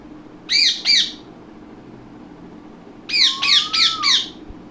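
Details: Indian ringneck parakeet, a talking parrot, gives two harsh, arching squawks, then after a pause a quick run of four more shrill, ringing squawks. No clear words are heard, and the background is quiet apart from a low hum.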